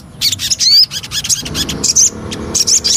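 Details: Javan cochoa lure song in broken phrases of high, sharp chattering with quick whistled slurs between short gaps.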